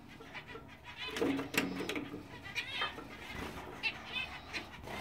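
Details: Pair of English zebra finches, a black-face male and a dominant silver female: a quick jumble of nasal, buzzy notes and short honking beeps.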